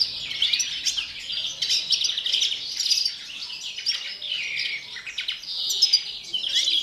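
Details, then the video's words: Captive European greenfinch singing in the pre-breeding season: a fast, unbroken run of bright, high twittering trills and rolling notes with brief buzzy sweeps woven through. "canto del Verderón, precría"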